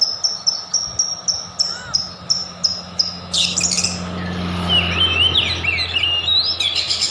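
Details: White-rumped shama song used to provoke other shamas: repeated sharp high notes about three times a second, then a noisy burst followed by twittering, warbled phrases.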